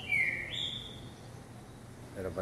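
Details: Caged green-winged saltator (trinca-ferro) on a hopping perch during vigor training for legs, grip, wings and lungs; one short clear whistled phrase sliding downward, then a quiet room.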